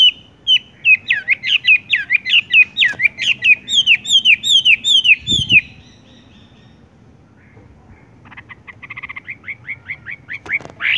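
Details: Tung roll song of a wambie (Horsfield's bush lark): over five seconds of quick, evenly spaced whistled notes that sweep down, then a pause, a soft dry rattle and renewed downslurred notes.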